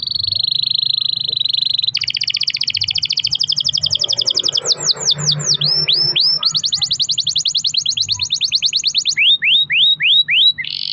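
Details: Caged canary's long rolling song, played so other canaries answer: a steady buzzy note, then a long accelerating roll of clipped notes, a run of falling whistles, another fast roll and closing downslurs.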